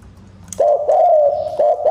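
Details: A brief burst of spotted dove cooing used as a decoy for wild doves: a quick low coo followed by a longer smooth falling coo and a clipped final note.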